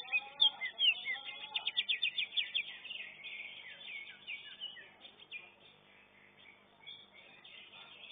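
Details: Greater green leafbird singing in a bird-song contest. A rich, varied stream of whistles, rapid trills and chattering phrases runs continuously, loud at first and then softer, over a busy background of other birds.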